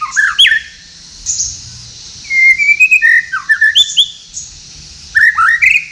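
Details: Night song of a captive white-rumped shama at a Tasikmalaya breeding aviary, with unusual notes: sliding whistles, a long level whistle, then quick choppy slurred notes in bursts, soft background hum.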